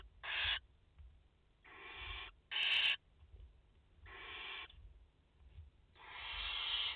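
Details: At a French barn owl nest on 30 August 2021, with a mother and four chicks present, five breathy screeching hisses sound at irregular intervals. The last is long and swells in loudness.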